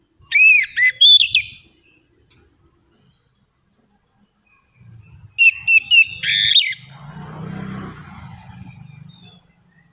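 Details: Orange-headed thrush singing in a recording played as a lure for birds that rarely sing: two loud bursts of mixed whistles and twisting notes separated by several seconds of silence, with faint low rustling.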